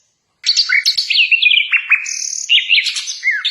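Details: Common nightingale (Luscinia megarhynchos), a small songbird prized for its strong, beautiful, varied singing, delivers a rapid melodious run of whistles, slurred chirps and trills that sweep high and low, with a brief buzzy steady note mid-phrase.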